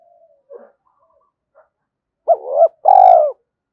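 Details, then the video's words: Spotted dove decoy calling wild doves to fight: faint soft notes, then one loud phrase of a wavering coo followed by a long buzzy falling coo. "tiếng cu gáy thúc Đấu và gáy gọi bổi rừng nghe rất nhanh về cội"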